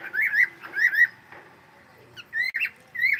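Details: Cockatiel singing in cheerful bursts of wavy whistled notes, with a couple of sharp higher chirps and short silent gaps between phrases.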